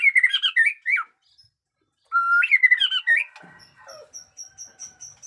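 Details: White-rumped shama in fresh plumage singing loud fluted phrases that swoop up and down, a long level whistle, then rolling notes fading into a series of thin high pips.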